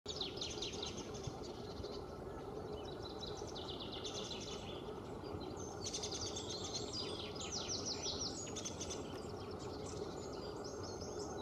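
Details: Long-tailed tits, a pair building a domed nest and busy with feathers in the breeding season, filmed from a distance: many high, thin chirps and short descending notes tumble over one another above a steady low rural background rumble.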